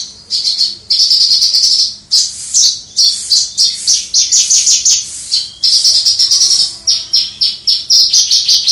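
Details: Javan bush lark in the clear crystal-voiced singing style prized by songbird keepers, recorded from afar; continuous high, shimmering trilled phrases with rapid pulsed notes and short gaps, almost without a break.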